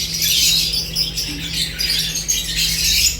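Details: Lovebirds at their food giving a thick wash of shrill squeaky chirps without pause, accompanied by a low steady hum.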